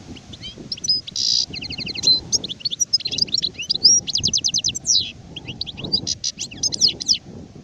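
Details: Adult goldfinch, known as sharef, delivers lively twittering song with a rasping buzzy note early on, rapid clicking trills, and jangling slurred chirps in quick succession, over faint low background noise.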